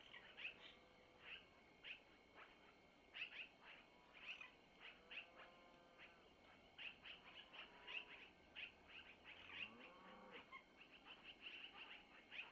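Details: Long-eared owlets at a nest in Missoula receiving food from their mother, who took it from the male. Soft, steady high squeaking chirps continue throughout, with a few brief lower tonal notes mixed in.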